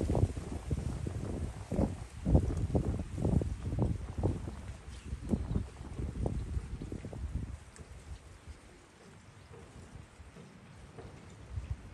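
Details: Wind buffeting and low rumbling thumps fill the first seven seconds, then fade to a quiet outdoor hush, with no birdsong.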